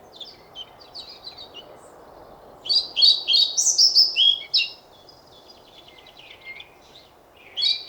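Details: Pied flycatcher song: faint high notes at first, then a loud two-second phrase of clear, high, sliding whistles in rapid alternation, followed by quieter twitters and a final loud fragment at the end.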